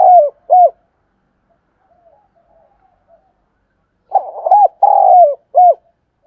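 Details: Spotted dove decoy cooing to draw in wild doves: short mellow hooting coos in brief bursts, a pair at the start and a cluster of rolling coos after a quiet pause.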